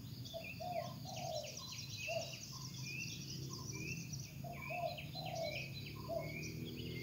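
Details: Spotted dove in the wild, calling actively: mellow rolling coos grouped in short phrases, repeated several times, over a busy chorus of thin, chirping and sweeping notes from other birds and steady low background noise.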